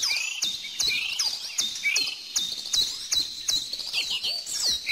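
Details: One bird repeats a sharp, high, bending whistled note roughly every half second over a background chorus of other chirping and twittering birds.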